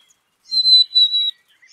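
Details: Black-capped chickadee giving a single high, clear whistled phrase of two joined notes, pure and level in tone, then silence.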